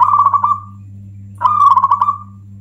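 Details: Local zebra dove (perkutut) giving its loud song, said to anger other zebra doves and used as a lure. Two rolling, trilled coos, each about a second, separated by a pause, over a steady low electrical hum.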